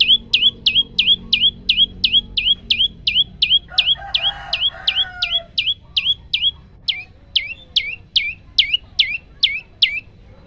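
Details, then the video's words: Energetic varied song of a male olive-backed tailorbird, phone-recorded to coach other birds. Rapid paired chips slow and spread out toward the end, with a brief rough noise near the middle and a low hum early on. "prenjak lumut gacor variasi tembakan panjang"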